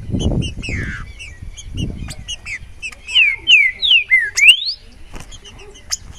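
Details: Green-winged saltator song: after low rumbling and faint chirps, a burst of five clear whistles, the first ones slurring downward, ending in a steep upward sweep, with softer chirps around it.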